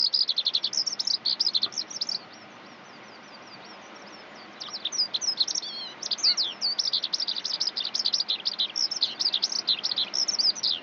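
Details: Eurasian skylark singing: a rapid, continuous stream of high chirping and trilled notes, broken by a pause of about two seconds, then resuming in quick buzzy bursts.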